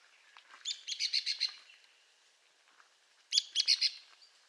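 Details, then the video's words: Arizona woodpecker: two bursts of rapid, sharp, high chattering notes, about a second each and a couple of seconds apart, with faint lower ticks between them. "Arizona Woodpecker Bird Sound Video: Woodpecker Nature Sound Effects"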